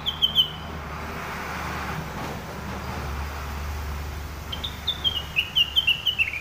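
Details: Sumatran leafbird (rengganis, cucak wilis) in lively song: a few high chirps, then a long stretch of low rumbling traffic-like noise, followed by a quick series of sharp, slightly falling high notes.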